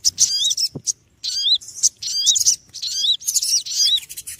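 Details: Shrill, scratchy chirps of noisy small birds come in nearly continuous bursts. Each holds rising and falling hooked notes, with a brief dull thump early on.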